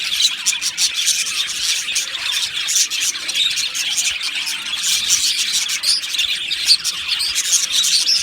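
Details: Many budgies in a colony aviary keep up a shrill, squeaky chatter, with short clicks and squeals overlapping into a steady high babble.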